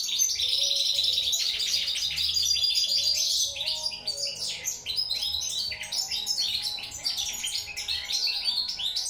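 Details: European goldfinch giving a sustained, rapid twittering song of high tinkling notes, about four per second, loud and continuous, with a faint low hum underneath.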